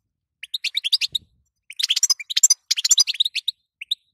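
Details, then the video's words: Female European goldfinch call used to set a male singing, heard as two dense runs of sharp, high, tinkling chirps after a few isolated notes, then a pair of soft chirps at the end. "ستسته وبتبته تخلي حسونك نار"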